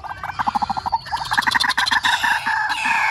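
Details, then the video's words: Lure recording of white-breasted waterhen for trapping: rapid pulsed notes repeated in a stuttering series, then a dense layer of overlapping, grating calls that grows steadily louder. "Tiếng quốc kêu | Tiếng chim quốc kêu gào để bẩy"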